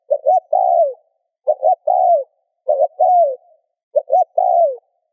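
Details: Spotted dove coos meant to stimulate other doves to coo: four evenly spaced phrases, each a pair of short soft notes and a drawn-out falling coo, low-pitched and mellow against silence.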